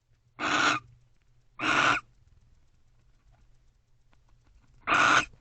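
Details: Wild barn owls in a nest box after midnight in late November, the pair guarding: three rasping, breathy screeches, two close together then one after a long pause.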